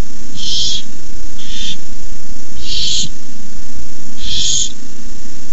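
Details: Young barn owls at their nest at night, 18 May 2015, hiss while a parent brings in a rabbit; four rasping, noisy bursts, one noticeably shorter, sound over a constant low rumble.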